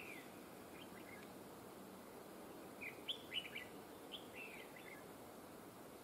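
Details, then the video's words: Red-whiskered bulbul used as a trapping decoy, known for a linked double-phrase voice; faint, brief chirpy warbles, clearest midway, over steady background hiss. "chào mào GIỌNG CỰC HAY CÓ GIỌNG KÉP NỐI"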